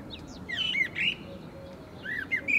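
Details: Nominate-race Eurasian blackbird at Agia Triada, Greece, in April 2024, giving bright chirps and arched, sweeping high notes in short clusters, separated by pauses over a low, constant background rumble.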